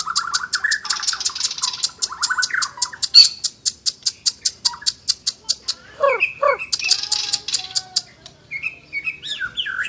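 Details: Asian brown flycatcher singing actively: varied, dense song of rapid repeated ticking notes, buzzy trills and short downslurred whistles, with fast chattering runs.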